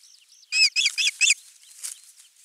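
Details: Osprey at the nest on 23 June 2020, morning, with a half-kilo crucian carp brought in; four loud, harsh whistled notes in quick succession between faint high calls of small birds.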